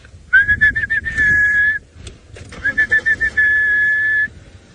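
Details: Orange-breasted Bush-shrike, the "air hostess bird", giving two clear whistled phrases, each a run of short stuttered notes ending in a long steady whistle, like 'coffee, tea or meee'; faint background hum.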